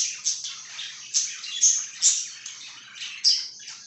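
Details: Budgerigar chattering in quick bursts, raspy high warbles broken by several sharp chirps about every half second to one second.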